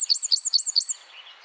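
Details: Wren song in the dense 'tembakan' (firing) style: four sharp, very high hooked notes repeated about every quarter second, then a soft trailing twitter.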